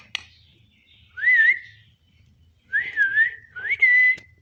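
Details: Parrot vocalizing during a meal: three whistled phrases, each rising then leveling off, the second dipping slightly before flattening, over a faint low hum in the background.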